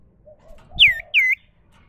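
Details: Natural voice of the sirtu cipoh, or common iora: two loud drawn-out whistles, each falling steeply then evening out, over a faint low hum.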